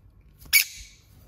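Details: Lovebird at play giving one brief, shrill squeaky chirp that cuts off quickly, with near silence before and after.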